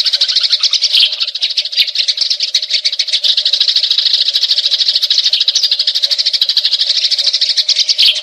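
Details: Rival Eurasian tree sparrows (Passer montanus) fighting, giving a long, dense, nonstop rattle of high, harsh chirps about three per second, over a faint steady low hum.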